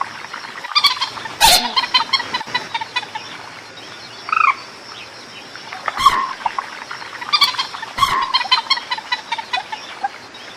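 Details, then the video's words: A Common Moorhen, in a recording used as a lure call, gives bursts of rapid, repeated clucking notes in two long chattering runs, with a few sharp knocks and a steady background hiss. "suara pikat burung mandar batu"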